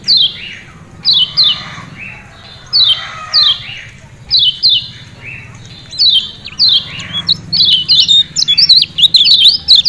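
Lemon-bellied white-eye giving sharp, high, downslurred chirps in quick bursts of two to four, repeated steadily, with a faint low hum underneath.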